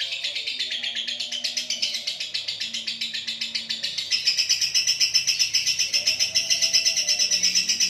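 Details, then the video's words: Moulting lovebird giving its long ngekek song: a fast, unbroken stream of high, sharp chattering notes, about four a second, steady in rhythm and growing slightly louder and shriller halfway through, with faint low background tones. "burung Lovenbird ngekek biarpun cabut bulu."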